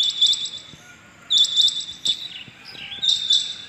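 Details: Rain quail, known locally as chingy bateer, calling on the morning of 6.7.21: sharp, bright, metallic double notes, each pair repeated about every 1.2 seconds with quiet gaps between.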